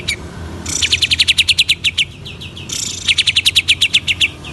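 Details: Greater green leafbird in full song, meant to rouse rival leafbirds. Two long, fast runs of sharp, evenly spaced high notes, each opening with a brief buzzy rush.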